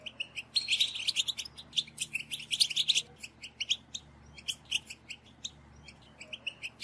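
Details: Group of European goldfinches twittering, a recording meant to excite males into song: busy overlapping high chatter for about three seconds, then sparser sharp chips and short twitters spaced apart.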